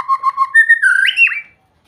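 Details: Sweet song of a white-rumped shama: a short fluty phrase of wavering whistles that rises into a brief twisting flourish and then stops.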